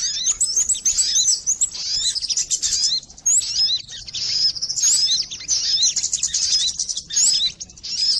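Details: Sogon, or crimson sunbird, lure recording for catching birds: rapid high-pitched twittering with sharp upslurred squeaks, steady and busy throughout, briefly dipping around three seconds.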